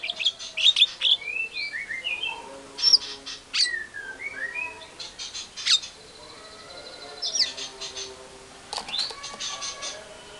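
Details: White-rumped shama lure song meant to make other shamas answer agitatedly: sharp high notes, then slurred, descending whistled phrases, alternating with bursts of harsh chatter and quieter pauses.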